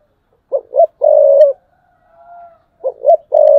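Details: Spotted dove kept as a decoy, thúc bổi style, 2022. Two short coos lead into a long throaty coo; a faint quiet coo follows before the phrase starts again.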